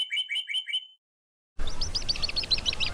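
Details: Indian ringneck parrot: a run of four short harmonic chirping calls, then a brief silence and a fast string of high, repeated chattering notes over low background rumble.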